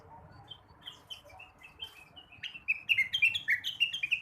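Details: Morning song of a blue-winged leafbird, played to stimulate other birds: soft, sparse high whistles building into a fast, loud burst of clear chirping notes, several per second, jumping up and down in pitch.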